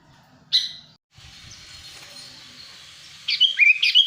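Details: Sooty-headed bulbul lure call for drawing in wild birds and encouraging quiet bulbuls to call: a single sharp chirp near the start, a hissy lull, then a lively run of bubbly whistled notes in the last second.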